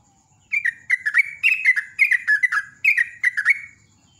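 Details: Rapid, busy yellow-vented bulbul song, called 'ropel', with a dense string of gurgling whistled notes rising and falling for about three seconds before stopping.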